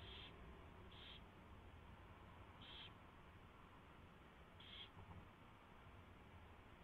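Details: Owls feeding on a delivered mouse at the nest at 4:21 AM, 24 February 2016; four brief harsh high-pitched bursts at uneven intervals, over a faint low hum.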